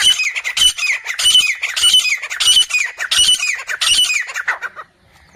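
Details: A Grey francolin, one of three that appeared in the jungle, gives harsh, grating squawks in quick succession, about one and a half a second, each scratchy and high, ending abruptly in quiet.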